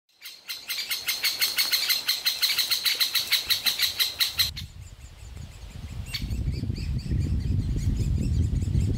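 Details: Young great spotted woodpeckers in a nest hole in a large old aspen, begging loudly for food while their parents feed them. A fast series of shrill, ticking calls, several per second, for four seconds, then fades into low rumbling noise.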